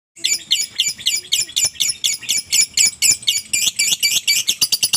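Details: Lovebird giving ngekek song, used as a lure to make other lovebirds sing: a long unbroken chain of shrill, harsh chattering notes repeated about four times a second, steady throughout.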